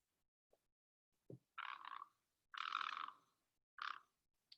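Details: Great Egret (Ardea alba), a summer visitor to the Chicago area, gives three harsh, rasping croaks, the middle one longest, with short clicks and knocks between them; nothing else is heard.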